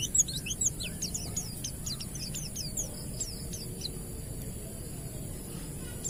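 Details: Ngalas Oriental white-eye song used as a trigger for untrained birds; a fast string of high falling chirps at the start, growing softer and sparser toward the end.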